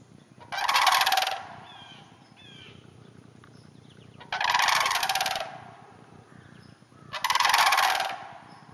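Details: Three throaty, rolling rattles from sandhill cranes in a hayfield about a half hour north of the Twin Cities, spaced about three seconds apart, with faint softer calls between.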